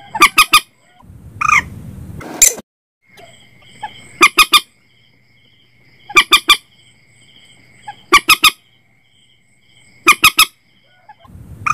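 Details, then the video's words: Common Moorhen call recording meant for setting nets at night: loud, sharp harmonic notes in tight bursts of three to four, repeated about every two seconds, with a steady faint whistle-like tone and a brief noisy burst between groups. "suara burung mandar batu terbaru 2022 cocok untuk pasang jaring malam hari"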